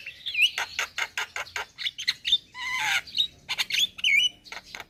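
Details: Javan myna singing energetically: a mix of harsh rasping bursts, clicking notes and twisting high whistles, with a longer grating chatter in the middle.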